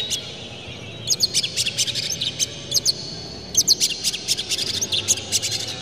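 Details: Oriental magpie-robin lure song with harsh, clear 'rough material' meant to make other birds agitated and sing. Two clusters of rapid high chirps and scratchy rasps, with quieter gaps between.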